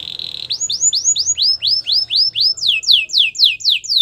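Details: Belgian singing canary opening with a buzzy hum, then a steady series of rising-and-falling whistled sweeps, about three per second, shifting to quicker downward-slurred notes.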